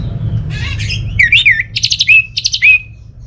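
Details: Orange-headed thrush from Singaraja, Bali, a lure for non-singing birds: scratchy notes lead into looping whistled phrases and rapid stuttering trills, each ending in a clear falling whistle.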